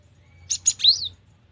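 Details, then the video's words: Gacor song of a cinereous tit, known locally as gelatik batu, clearly recorded: two buzzy bursts and then a single high whistle that rises and slides down, all within one brief phrase. "GELATIK BATU GACOR || the melodious sound of stone sparrows"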